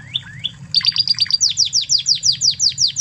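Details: Spanish Timbrado canary of Spanish origin, in a master recording for tutoring other canaries: two looping whistled phrases, then a fast rolling trill of descending chips that speeds up and brightens, with a soft hum underneath.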